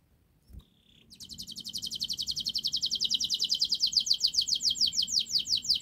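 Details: Canary song from a recording meant to trigger silent canaries: after a short whistle, a long, fast, high rolling trill of about four notes per second that swells louder toward the end.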